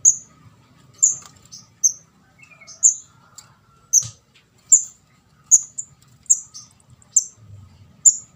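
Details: Young orange-headed thrush, locally kemade jawa or ndas abang, used to lure birds: a fairly rapid string of piercing, very high squeaks, often paired, with quiet low background noise.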